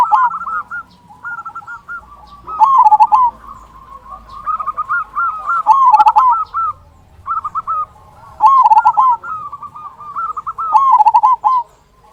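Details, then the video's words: Gacor local zebra dove singing steadily as a lure for lazy singers. Repeated rippling cooing phrases overlap with quieter answering coos, and loud bursts recur roughly every two to three seconds. "Perkutut Lokal Gacor Suara Kung Besar Pancingan Burung Perkutut Agar Bunyi"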